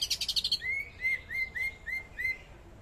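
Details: Greater green leafbird from Kalimantan singing vigorously: a quick burst of buzzy, rattling notes, then a run of six clear, upslurred whistles in steady succession, each about a third of a second apart.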